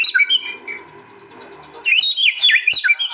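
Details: White-rumped shama from East Java, recorded on an Android phone for a master compilation: a brief high phrase, a quiet low murmuring pause, then an energetic burst of twisting whistles and sharp notes.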